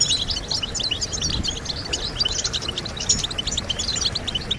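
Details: European goldfinch singing, played to encourage other goldfinches to sing: dense, rapid twittering of high tinkling notes and short buzzy chips, running continuously with a faint low background rumble.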